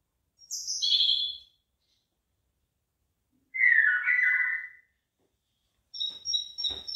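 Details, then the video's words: Bird singing near rice fields where the rice is heading: three short, separated phrases; first a high descending whistle, then a lower buzzy warble, then a thin rapid high twitter. "ฟังเสียงนกร้อง เพราะมาก"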